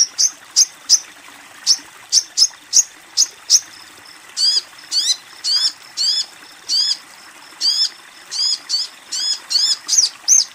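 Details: Female crimson sunbird calling to a male, used as therapy for untrained or silent captive birds; high, thin chirps with sharp downward sweeps, given singly at first, then in quick pairs and triplets over a steady faint hiss.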